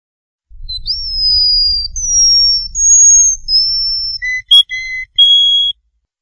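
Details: Tutor song for young canaries: long, pure, sustained whistled tones at high pitch, each held about a second and shifting slightly in pitch. Short clipped notes follow, over a faint low rumble.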